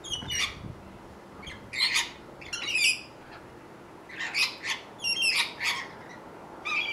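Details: Rainbow lorikeets in Australia feeding in fruit trees: harsh, shrill screeches and squawks in irregular clusters, several birds calling over one another with short gaps between bursts.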